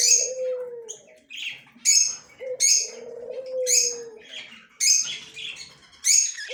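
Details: Yellow male budgerigar, October 9, 2024, chirping in quick raspy bursts every second or so, mixed with lower drawn-out tonal slurred notes from another sound source in the room.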